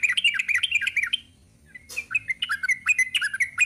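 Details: Sooty-headed bulbul in long 'ropel' singing: a rapid chattering run of slurred notes, a short pause with a faint click, then another brisk string of short bright notes.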